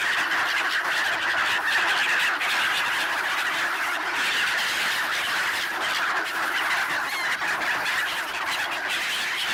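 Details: Wintering black-headed gulls mobbing a person handing out bread at a swan site in Ibaraki, Japan, December 2017, among swans and ducks; a constant clamour of rasping cries, with some clearer, higher squeals standing out.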